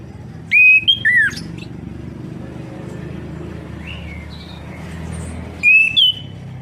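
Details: Stimulation song of an orange-headed thrush for a bird gone quiet: a cluster of bright whistled notes opens the recording, then faint calls in steady background hum, and another short whistled phrase near the end.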